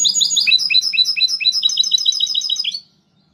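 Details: Mixto, a goldfinch hybrid, delivers a rapid, even series of high, clipped chirped notes for nearly three seconds, then stops abruptly; quiet room behind.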